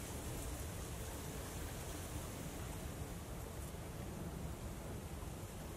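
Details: A constant rushing noise, like wind or distant surf, with no animal sounds present.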